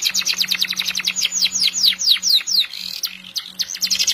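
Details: Canary singing a long, unbroken song: fast runs of high, falling chirps repeated several times a second, a brief buzzy roll, then more rapid trilled notes, over a faint steady low hum.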